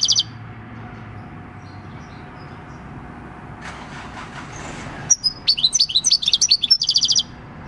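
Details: European goldfinch, wild-caught and six years old, singing the field song on 26 December 2019; after a long quiet stretch with faint background noise, a fast, sparkling sequence of high chirps and trills runs for about two seconds.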